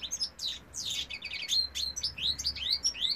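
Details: Male European goldfinch in song, 2018: sharp, high, falling and rising slurred notes delivered in rapid succession, a liquid, tinkling phrase with little pause.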